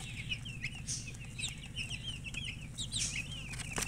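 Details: Freshly hatched chicks of domestic chicken chirping: shrill, falling peeps from several birds at once, steady and crowded, over a low constant drone.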